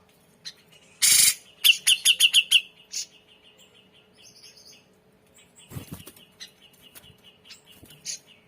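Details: Grey-cheeked bulbul, loud chattering song: a rapid burst of about eight sharp, evenly spaced high chips, then softer repeated high notes and a faint buzzy trill. Harsh noisy bursts break in twice.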